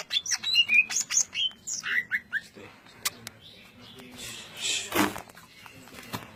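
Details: Greater green leafbird singing in the ngentrok style with dense notes: a quick run of clear whistled notes, some sliding downward, over about two seconds, then loud rustling and wingbeat noise with only scattered faint notes.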